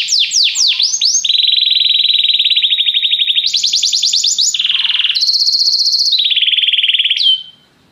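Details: Canary song played to stimulate a canary's singing: a few opening swept notes, then long level buzzy trills that jump between higher and lower pitches before ending abruptly in silence.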